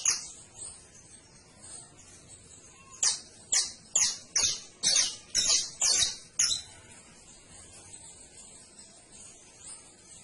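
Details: Canary song: quiet start, then a cluster of eight sharp high chirping notes in rapid succession from three to six and a half seconds, followed by a faint thin trill.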